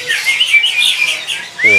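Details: A caged Oriental magpie-robin at a bird-market kiosk in Jakarta, around midday, sings bright, varied whistled phrases sliding up and down, ending in a clear rising whistle, while a man's voice briefly joins amid market bustle.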